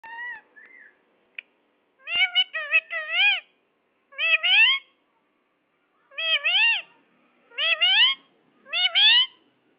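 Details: Ring-necked parakeet talking: six bursts of clear, wavering, rising-and-falling voiced phrases, each about half a second to a second long, separated by short silences, in a quiet indoor setting.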